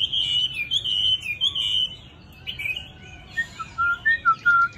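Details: Tamed Chinese hwamei, noted for a fine, gentle voice, pours out loud, high whistled phrases. After a short pause come several clear, descending whistles spaced under a second apart.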